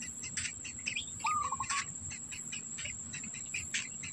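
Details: Black bittern feeding young, the parent holding food in its bill; a single clipped, slightly descending stutter sounds once, with bright chirps around it and a continuous high-pitched insect hum.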